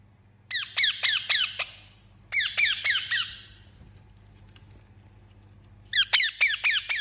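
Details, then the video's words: A pet Indian ringneck parakeet calls in three bursts of rasping, down-slurred squawks, each burst holding four to five rapid notes, with the room quiet between them. "Talking Parrot Chirping Sound"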